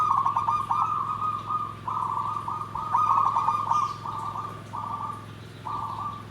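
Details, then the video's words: Zebra dove (perkutut) song in the nggandem gedhe garing style: a run of pulsed, trilled cooing phrases, mid-pitched and repeated almost without pause, some sustained and buzzy, over a steady low electrical hum. "SUARA PERKUTUT GENDOWO SABDO || NGGANDEM GEDHE GARING"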